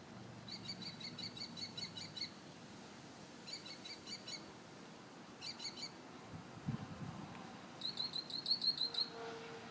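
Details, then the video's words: An unidentified bird singing in the morning, said to wake the household daily and to sing 25 different sounds: bursts of rapid high chirps repeated in groups, pausing between phrases, ending in a louder trilled series, over low background noise. "Amazing Bird sings 25 different sounds"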